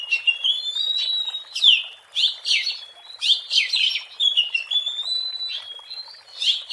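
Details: Oriental magpie-robin singing in the wild, its song used as a lure: a lively run of clear whistles, short slurred notes and scratchy flourishes, mostly high-pitched and varied, with brief pauses between phrases.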